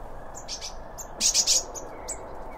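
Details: Birds eating around a feeder, recorded in stereo beside the seed: quick high-pitched tweets, several sharp loud chirps clustered near the middle, over faint steady background noise.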